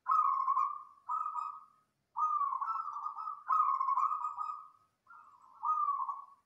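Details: Local wild zebra dove singing loudly and densely, a master recording meant to lure other birds: a series of five or six rolling, vibrating coos of steady mid pitch, each about a second long, separated by short gaps in a quiet setting.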